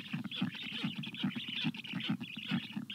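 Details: Water-begging black stork nestlings on a very hot 25 June 2022. Clearly separated throbbing pulses repeat about twice a second, each buzzy and hoarse, with a continuous raspy hiss above.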